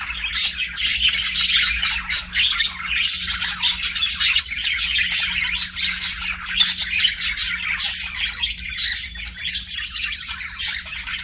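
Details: Pet budgies keep up a long, lively chorus of rapid chirps and warbled chatter, notes tumbling quickly and evenly over about eleven seconds, with a faint low hum behind.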